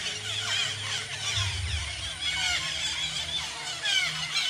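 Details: A flock of countless parakeets in a tree at a natural bird sanctuary in a Garo village, Bangladesh, keeps up a dense chorus of harsh, high screeching squawks, many calling over one another, over a low hum.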